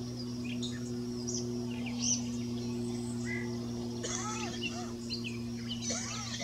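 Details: A Yellow-breasted chat at Goose Lake Prairie near Morris, Illinois, on 9 July 2017, gives low, hooked whistles and scattered higher chips and squeaks over a steady mechanical hum. Yellow-breasted Chat.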